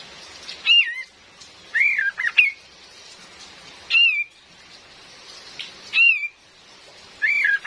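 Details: Calls of a female Cream-vented bulbul used for luring, with rain in the background: single whistled slurred notes spaced about two seconds apart, one followed by a quick warbled pair, over a hissing wash.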